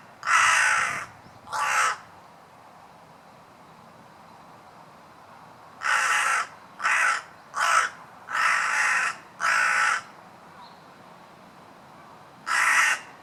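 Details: Crow giving rough, grating caws in bouts: two, a long pause, five evenly spaced, then a single final caw, with light background hiss.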